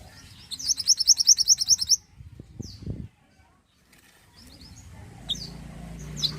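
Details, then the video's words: A mantenan (Oriental magpie-robin) singing steadily. A rapid, rhythmic trill of high, sharp notes runs for about a second and a half, then gives way to a few thin high chirps over a quiet, rumbling background. "mantenan gacor"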